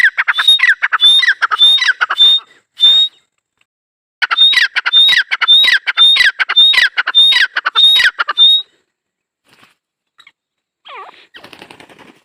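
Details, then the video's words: Dakhni teetar partridge giving a loud, fast series of harsh, ringing notes with high whistled accents, delivered in two long bursts separated by a short gap, then quieter scattered sounds near the end. "Teetar colling | dakhni teetar Awaz | Teetar partridge sound"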